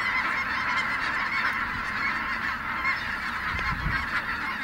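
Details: Snow geese taking flight at a wildlife refuge in Merced, a dense chorus of many honking calls overlapping continuously, with steady flock noise throughout.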